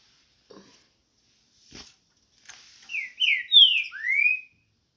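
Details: A Green-winged Saltator sings a warm-up phrase of four loud, clear whistled notes, each slurred and bending in pitch, preceded by faint clicks and rustling.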